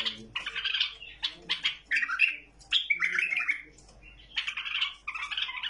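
A tame bulbul gives harsh, scratchy chattering bursts, quick runs of rasping notes with brief pauses between phrases, close and loud.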